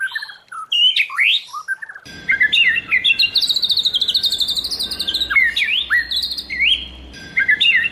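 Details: White-rumped shama, wild-type training song: varied loud whistles and slurs, then a long fast high trill of repeated notes, followed by further swooping whistled phrases.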